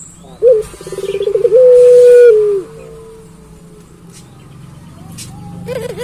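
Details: Puter pelung dove: one short rising note, a rapid stuttering roll and a long steady coo that falls away. Quieter background noise fills the rest, and a faint rising note comes near the end.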